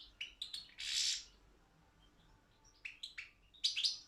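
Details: European goldfinch of the Balkan subspecies Carduelis carduelis balcanica, entered in an online world championship for goldfinch song: short bright twittering notes and a harsh buzzy burst, then a quiet gap before more high chirps and a closing buzzy flourish.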